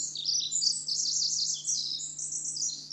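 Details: Pacific wren belting out its song: a rapid, high-pitched torrent of tinkling trills and buzzy notes, unbroken and varied, with a steady low hum in the background.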